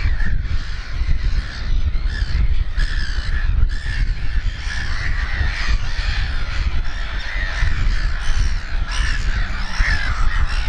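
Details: Black-headed gulls with fluffy chicks at RSPB Snettisham, Norfolk, on 29 May 2018 around 4:23 pm, keeping up a constant din of harsh, overlapping squawks and raspy cries over steady wind rumble.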